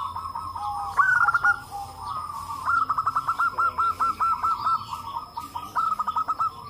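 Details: Local zebra doves in a noisy group chorus, calling back and forth to prompt other doves to sing; a long train of short, evenly spaced cooing pulses dominates the second half, over softer continuous cooing.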